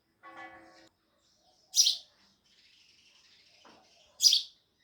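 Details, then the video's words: Two loud, sharp sparrow chirps about two and a half seconds apart with faint twittering between, preceded by a brief lower, tonal sound. "Sparrows Loud Chirping Sounds"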